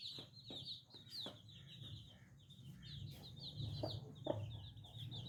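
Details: Many little chicks cheep together, a fast stream of shrill, descending peeps overlapping one another, with a steady low background hum and occasional clicks beneath the flock.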